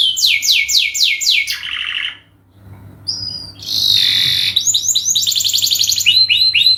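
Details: Canary in lively song as a lure: quick falling whistled sweeps and a short low rattle, a brief pause, then buzzy high trills and more fast descending whistles.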